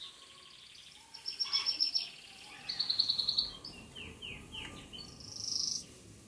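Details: Belgian canary singing while sunbathing, with short high trilled phrases, a rapid buzzy series of repeated notes and a run of sharp downward-sliding notes, over a steady background noise.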